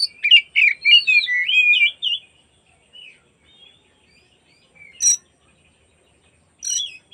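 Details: Afternoon lure song of an oriental magpie-robin, meant to set other magpie-robins singing and spreading their tails: a fast burst of varied warbled, looping whistles for two seconds, then quiet gaps broken by sharp high chips.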